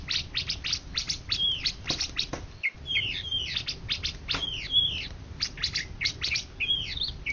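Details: Indonesian national champion greater green leafbird (2013–2014) with a string of rapid dry clicks broken by short, bright slurred whistles repeated several times.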